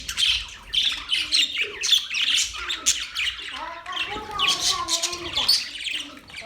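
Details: Budgerigars chirping together, recorded October 11, 2023: dense, continuous high chatter of overlapping chirps and warbles with short squawky notes, a busy flock sound with no pauses.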